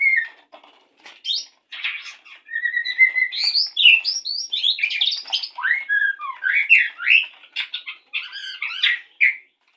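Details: White-rumped shama in a breeding setup, courting before mating: a continuous run of varied phrases, with clear rising and falling whistles mixed with harsh chattering and buzzy notes, in short bursts separated by brief pauses.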